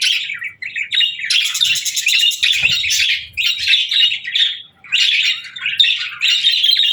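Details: Happy budgie chirping for lonely birds: a close, clear warbling chatter of rapid high notes and buzzy trills, broken by short pauses around half a second and just before five seconds.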